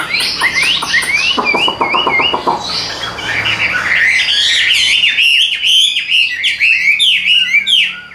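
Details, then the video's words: Caged hwamei with yellow legs and bill, giving a fast, varied song: harsh buzzy notes at first, then quick looping whistles and sharp rising-falling slurs. "Giọng Hay Siêng Mỏ"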